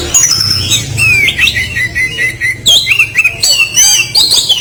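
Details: Oriental magpie-robin (kacer) in full voice, harsh 'kasaran' material: a busy string of squawky, sliding notes and short whistles, some rising sharply, delivered almost without pause over a steady low hum.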